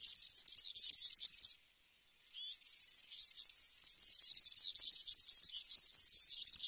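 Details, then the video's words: European serin song: a fast, high, buzzy jingle of tinkling notes that runs almost nonstop. It breaks off for about half a second, then resumes with a few sliding notes and carries on as a continuous shimmering trill. "تغريد طائر السمريس/ البسبوس (الزخنين) chant du serin cini, el verdecillo"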